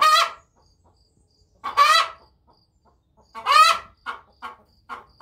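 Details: Singing Wyandotte hen: two long, raspy, rising squawks about two seconds apart, then a quick run of softer clucks.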